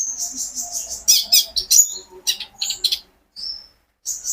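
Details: A captive olive-backed sunbird singing nonstop as a lure for other birds: a thin whistle, then a tight cluster of sharp high chirps, a brief silence, one falling whistled note, and a final high burst.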